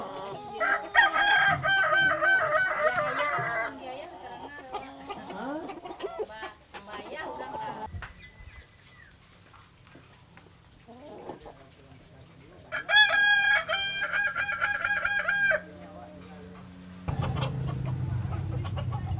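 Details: Kokok Balenggek rooster, a native West Sumatran singer breed kept at a restaurant, with two bursts of stepped, multi-syllable crowing separated by a long stretch of rustling, clattering and quiet background noise.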